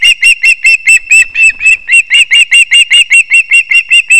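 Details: Osprey at a nest with chicks in an old leaning pine in Kurzeme, Latvia, 20 September 2024, near the last fish from the male: a quick, steady series of shrill, piercing whistled chirps, two or three each second.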